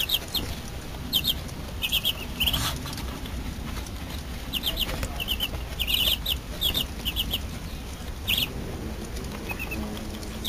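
Muscovy ducklings give thin, high peeps in quick bursts, several overlapping, over a steady low rumble and a faint high whine.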